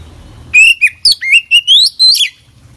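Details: A full-voiced Oriental magpie-robin (kacer) song packed with inserted phrases: about seven loud whistled notes, each sliding upward, joined into one climbing phrase, then quiet low hum.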